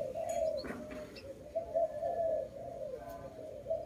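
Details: Repeated low, rolling coos of a dove at a bird-trapping site, rising and falling gently in a steady run, with faint twittering from other birds behind.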